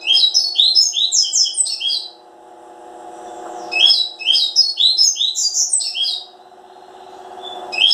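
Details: Seedeater song in dense runs of quick, high, slurred chirps, one phrase opening the recording and another about two seconds later, a third starting at the end; a persistent low drone fills the background.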